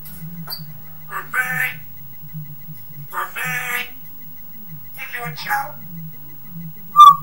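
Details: Pet parrot with a Geordie accent calling the dog names; short bursts of mimicked speech-like phrases separated by pauses, ending with a sharp whistle, over a steady low electrical hum.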